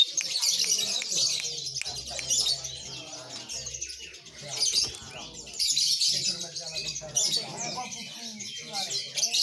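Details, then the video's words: A lively Oriental magpie-robin in a busy, nonstop stream of high whistles, chirps and scratchy trills, with faint low voices underneath. "Kacer gacor"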